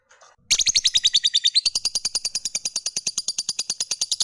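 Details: Fighter lovebird in full voice, delivering the long ngekek trill meant to set other lovebirds singing. After a brief quiet start, a shrill, very rapid chattering trill bursts in and continues steadily to the end.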